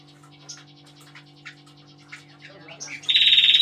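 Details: Flowerpecker singing at full power: quick, thin high chirps and short twittered notes scattered over three seconds, ending in a loud, dense buzzy burst, with a low steady electrical hum underneath.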